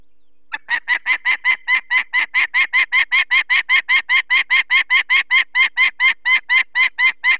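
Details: Adult female peregrine falcon at a nest in the Barycz Valley, Poland, on 2 May 2023, alarmed as people remove one of four chicks with eye problems: harsh, rapid cacking notes repeated about two to three per second, steady and unbroken.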